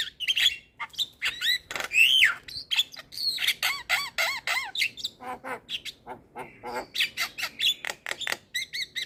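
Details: Javan myna singing a full 'isian' tutor song meant to stir quiet mynas: loud varied chatter with harsh squawks, bent whistled notes and rapid clicking bursts, running continuously with short pauses.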